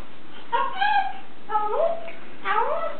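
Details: Playing pet blue-and-gold macaw giving three separate nasal, harmonic calls about one second apart, each a short croaky note rising in pitch, the later two swooping upward at the end.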